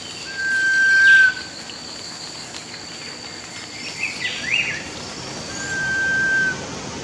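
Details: A Sunbittern in the wild in Costa Rica, 2018, gives two long, pure, level whistles about five seconds apart, each about a second long, over a steady insect hum with faint chirps from other birds.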